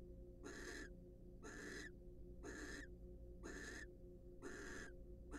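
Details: In a research nest box, two wild barn owls preen during a courtship session, giving five coarse, breathy screeches at roughly one-second intervals against a continuous low droning hum.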